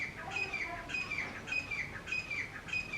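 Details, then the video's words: Grey francolin male and female calling loudly together: ringing, whistled notes repeated about every half second in a steady, insistent series over a background hiss. "Male & Female Teetar Birds Voice | Male vs female teetar Sound"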